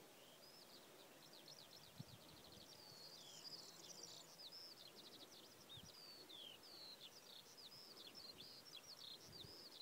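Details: Corn bunting song at Svatý Mikuláš, Kutná Hora district, Czech Republic, 17 April 2016: a dry, high, jangling rattle of quick notes, run together almost without pause, faint against a steady background hiss.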